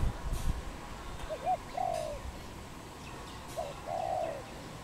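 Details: Wild dove cooing in Cambodia on 24 April 2020: two short rising notes, then a longer drawn-out coo, the phrase given twice over a quiet natural background.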